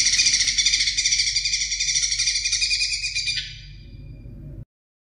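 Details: Greater green leafbird song for training songbirds: an unbroken, fast, high, rattling trill for over three seconds, gradually softening and fading out before the recording stops.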